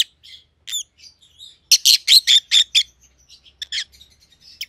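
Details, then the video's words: Two caged rosy-faced lovebirds, white-headed pallid and white-headed green opaline siblings, giving high chirps and upward-sweeping squeaks, then a burst of about six loud harsh chirps in quick succession followed by softer scattered tweets. "Rosy-Faced Lovebirds - Chirping and Call Sounds"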